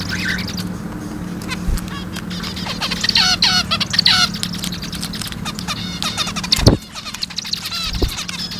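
Zebra finches chatter with quick, nasal, toy-trumpet beeps and buzzy chirps over a steady low hum.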